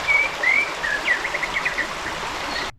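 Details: Heart-spotted Woodpecker heard on a red-soil forest road from Purunakot to Chhotkei, Satkosia, India, December or February, giving thin squeaky whistled notes, a couple of rising slurs then a quick run of short high chips, over rushing stream noise.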